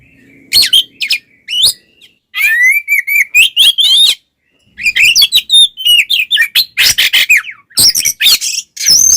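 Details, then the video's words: Oriental magpie-robin in fighting mode, a song meant to provoke other males: rapid loud stream of harsh buzzy notes, chattering bursts and whistled slurs, with brief pauses, very energetic and continuous. "SUARA BURUNG kacer gacor NGEPLONG TARUNG konslet paling AMPUH buat PANCINGAN KACER agar EMOSI"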